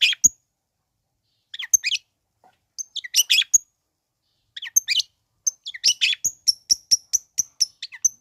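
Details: Long-tailed shrike singing, used to rouse lethargic shrikes into emotion and song: varied scratchy chatter in bursts, ending in a quick string of high, sharp repeated notes.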